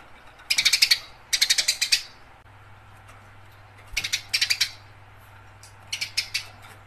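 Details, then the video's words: Eurasian tree sparrow in fighting-style chatter, recorded for songbird training: repeated bursts of fast, rattling, high chirps, two close together, then two more after a gap, over a faint low hum. "Suara burung gereja gacor tarung"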